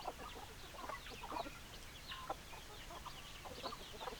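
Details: Chickens in a flock, hens clucking: many short, overlapping clucks and chatter with brief higher squawks, a steady busy murmur with no crowing heard.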